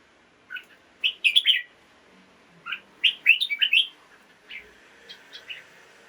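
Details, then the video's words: Caged red-whiskered bulbul singing in the morning, played to stimulate other caged birds; short bursts of bright, warbled phrases separated by brief pauses. "กระตุ้นนก ให้คึกคัก ยามเช้า เสียงร้องเสียงริกนกกรงหัวจุก"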